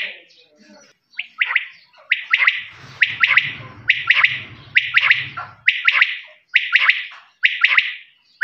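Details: Desi quail giving sharp, high chirping notes in short bursts, about one each second, with a low hum underneath for a few seconds.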